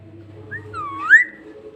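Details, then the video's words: Pet talking parrot mimicking speech: a short rising-and-falling whistled phrase that dips then climbs to a brighter clear note, over a faint steady low hum indoors. "Talking parrot"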